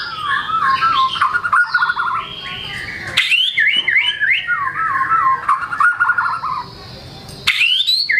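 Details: Caged white-rumped shama singing energetically with varied imitated material, meant to stimulate lazy birds to sing: rapid warbled whistles stepping up and down, dense trilled bursts, brief pauses and a sharp upward sweep near the end.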